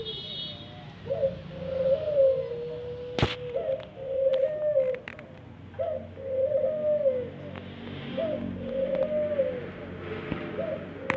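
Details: Ringneck dove kept in an aviary, cooing in a steady series: soft rolling low coos, each stretched into a smooth falling note, repeated roughly every two seconds, with a sharp click and faint room noise between phrases.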